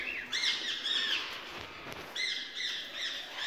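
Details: Ringneck parakeet at a breeding setup holding mixed birds: two bursts of harsh, arched screeching notes, each a quick run of three or four calls with a gap between bursts, over a steady background hiss.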